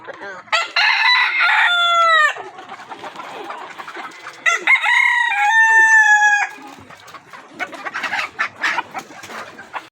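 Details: Desi farm rooster giving two long harmonic crows, each about two seconds with a falling tail, separated by softer clucks and farmyard clatter.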